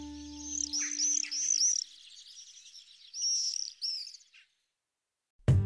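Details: Black Swifts zooming overhead in a canyon, heard twittering together at dawn in Marble Canyon, Kootenay National Park: high, thin twittering in quick chattering bursts, rising and falling over a few seconds; a low hum opens and a sharp thump ends it.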